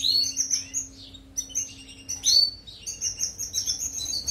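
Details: Singing European goldfinch, a recording meant to tutor canaries: rapid, bright twitters and rising-falling whistled notes run together in a lively stream, with a faint constant hum underneath.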